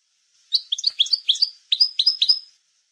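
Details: European goldfinch (maknin) song for schooling young birds: one two-second phrase of quick chirpy notes, then three drawn-out, slightly descending whistled notes, in a quiet setting.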